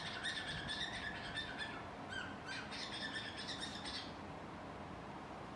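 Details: Pet cockatiel singing while hiding: a rapid run of harsh, buzzy pulses, about three per second, that breaks briefly and resumes, then stops and leaves quiet room noise.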